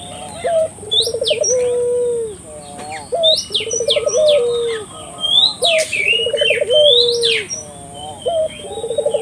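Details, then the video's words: Energetic Barbary dove cooing as a lure for local doves: series of low, quavering coos with sustained tails, repeated steadily, overlaid by sharp downslurred chirps from other birds and a continuous high-pitched whine. "suara burung puter gacor,merangsang buru puter lokal ikut gacor"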